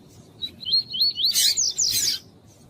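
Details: Double-collared seedeater giving tuí-tuí song with a female calling, meant to warm up males: a chain of looping whistled upslurs, overlapped midway by harsh, noisy chattering notes.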